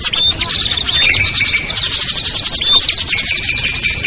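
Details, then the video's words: Small birds such as ciblek, kutilang, trucuk, sogon and perenjak, mixed as a lure to bring birds down: loud, dense chattering with thin whistles and a sustained lower whistled note running beneath. "SUARA PIKAT BURUNG KECIL burcil AMPUH"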